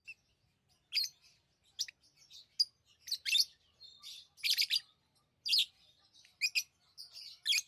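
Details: Lovebirds kept as tame pets chirping: clusters of sharp, high, buzzy chirps and short screeches in quick irregular bursts, some doubled or tripled, with brief quiet gaps between them.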